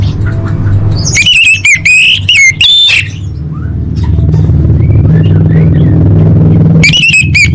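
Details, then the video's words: Lure song of the orange-headed thrush for caged birds: a vigorous two-second phrase of high ringing whistles and trills, a long gap of low droning noise, then the song resumes at the end. "Pancingan Anis Merah Paling Efektif: Meningkatkan Gacor & Kualitas Suara Burung!"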